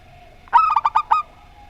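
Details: Single short phrase from a zebra dove, local Rondo Semoyo style versus a strange-voiced bird: about six quick, mellow coo notes in tight succession, then quiet.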